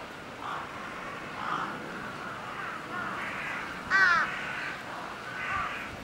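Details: A crow at Chiba Zoological Park, Japan, pecking at a mouflon, gives harsh, nasal caws about once a second, with one louder, rasping caw near the end.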